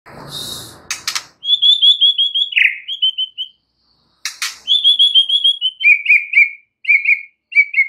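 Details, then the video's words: White-rumped shama song used as a lure to provoke other shamas: runs of clear repeated whistled notes, first high then lower and rhythmic, opened by a brief harsh noisy burst and a sharp rasp midway. "PANCINGAN Murai Batu bikin langsung EMOSI murai manapun saat mendengarnya"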